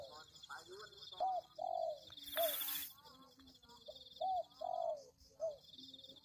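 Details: Spotted dove coos for luring birds: a short note and a long descending coo, repeated twice, interrupted by a loud burst of noise, with a thin high buzz underneath.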